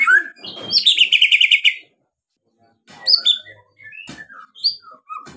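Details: White-rumped shama song used to provoke other birds into singing: a loud rapid trill of repeated notes, then varied whistled phrases and sharp chips rising and falling after a short pause.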